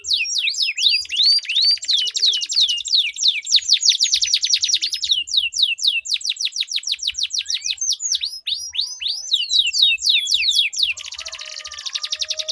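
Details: Canaries in a singing duel, a long rolling song used as a lure to set silent canaries singing: rapid strings of high downslurred notes, trills repeated several times a second, with a steady buzzy roll near the end.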